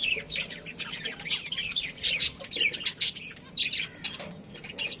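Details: Budgerigars kept as a breeding pair in a colony, chattering busily: dense scratchy chirps and squawky bursts tumbling over one another, loudest in short peaks around the middle, with little background noise.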